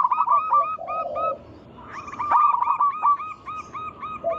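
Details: Lure song from a wild local zebra dove meant to set other doves singing: quick clipped coos, a low buzzing purr, a short pause, then a long run of rapid repeated coo notes.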